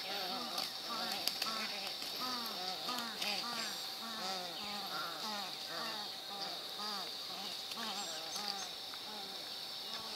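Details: White ibis squabbling on the Anhinga Trail in Everglades National Park. Many birds give dense, overlapping harsh nasal honks that are repeated rapidly throughout, over a steady high insect buzz.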